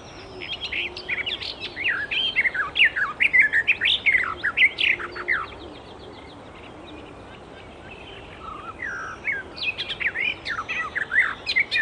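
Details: Icterine warbler singing in the wild: a long, rapid phrase of varied sharp chirps and slurred notes, a pause with a few softer lower notes, then another quick burst of mixed squeaky elements.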